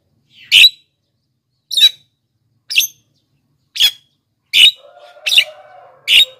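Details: Black-winged myna, a recording played to draw in wild birds and set lazy caged birds singing: seven harsh, scratchy bursts at roughly one-second intervals, joined near the end by a low, steady, whistled hum.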